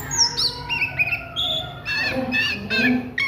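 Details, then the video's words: At midday, an Oriental magpie-robin gives ngriwik song: a high falling whistle, wavering mid notes, then three loud harsh rasping bursts, with a soft low hum underneath. "SUARA KACER NGRIWIK DISIANG HARI"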